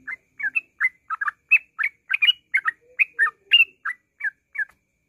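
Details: Yellow-vented bulbul singing in the continuous ngropel style, meant as a lure to trigger singing: rapid, liquid, rolling chirps strung closely together, with a faint low hum underneath at times.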